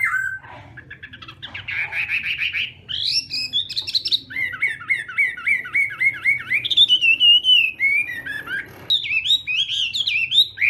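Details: A Chinese hwamei practising its morning song, mixing harsh chattering bursts with series of repeated downslurred whistles, a long wavering whistled phrase, and loud looping notes near the end.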